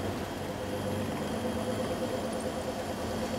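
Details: At sunset on a safari drive in Sabi Sand, a vehicle engine idles steadily throughout, with no animal voices.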